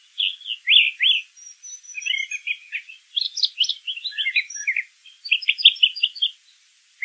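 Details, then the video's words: Brown thrasher sings a varied medley: loud doubled whistled notes, scratchy chattering runs, and a fast series of high chips near the end, with a faint thin tone above. "Birds Singing - Brown Thrasher"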